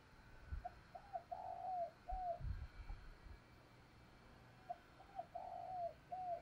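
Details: Faint spotted dove 'thúc gù' coos, a lure for wild doves to call back. Two matching phrases of short notes and a longer buzzy coo sit over steady hiss and low rumbling thumps.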